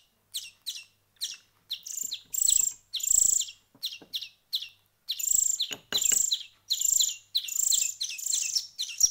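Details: European greenfinch chicks, a week into hand-feeding, giving rapid high, scratchy begging chirps in bursts about once a second, some notes louder and longer, over a quiet background.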